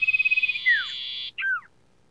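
A Sooty-headed bulbul gives a quick, rattling trill, then two clear whistles that slur downward, over a steady hiss.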